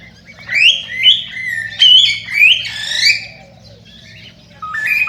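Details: Cockatiel singing, a recording used to encourage cockatiels to breed: bright rising whistled sweeps and warbled notes in a quick run, a short lull, then a final higher whistle, with faint electrical hum underneath.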